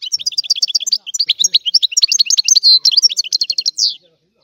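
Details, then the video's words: Singing European goldfinch delivers a fast, continuous stream of bright tinkling chirps and short trills for about four seconds, with a brief buzzy note near the end before it falls silent. "تغريد الحسون"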